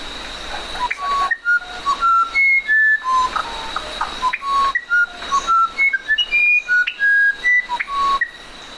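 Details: Musician wren singing continuously, with pure whistled notes of varying pitch in quick, irregular sequences, some grouped in short phrases, against a steady high-pitched background drone.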